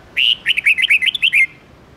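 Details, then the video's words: Red-whiskered bulbul singing a morning song of 10–13 notes in the voice of old wild birds, used to train young birds: a loud, rapid phrase of about eight bright, warbled, upward-sweeping notes lasting just over a second. "Luyện chào mào hót sáng âm 10-12-13 giọng già rừng/kích chào mào non,ép má trắng học giọng rừng hay"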